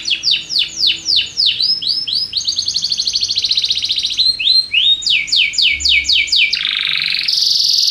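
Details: Song of a Belgian canary, played to rouse other birds: repeated downward-sweeping notes about five per second, then a dense buzzing trill, more sweeps and a final harsh churring phrase.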